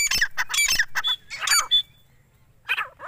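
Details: Four-month-old grey francolin chicks give harsh, scratchy squawks in quick bursts, with a couple of thin whistled notes mixed in, then a brief pause before more rasping calls.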